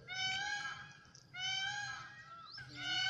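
A peahen gives two long, nasal, honking notes, each about a second, rich and slightly falling, with a low hum underneath.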